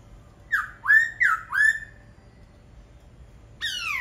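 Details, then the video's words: Singing laughingthrush: a run of four slurred whistles, each climbing upward, then silence and a bright falling note at the end. "Khướu hót cực hay"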